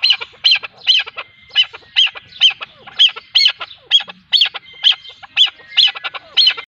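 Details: A chukar partridge pair gives harsh, clucking chuk notes in a rapid series, roughly two per second, with a rough, rasping edge.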